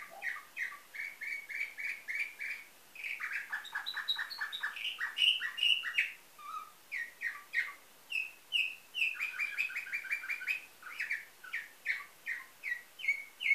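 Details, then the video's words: Nightingale-type song from a domestic canary, Varna, Bulgaria, 2013, delivered as continuous tours of fast repeated notes, with a rapid low rolling trill in the middle and bright, evenly spaced chirps throughout. "Bülbül ötümlü kanarya , canary - Nightingale , канар Славей"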